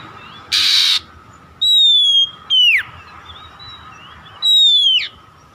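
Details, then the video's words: Oriental magpie-robin (kacer) song played to encourage other kacer to sing: a harsh noisy burst, then three clear descending whistles, each sliding down sharply at the end, spaced about a second apart. "SUARA PANCINGAN BURUNG KACER AGAR BUNYI DAN GACOR"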